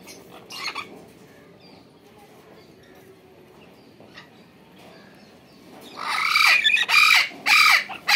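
Red-lored amazon giving one brief harsh squawk, then after a quiet stretch a run of loud, raspy, grating squawks close together near the end.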